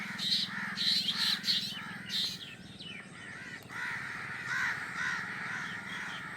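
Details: Newly hatched drongo nestlings in the nest waiting for their mother to bring food: harsh, raspy, repeated calls, rapid and irregular, with some high squeaky notes; a steady low hum continues underneath.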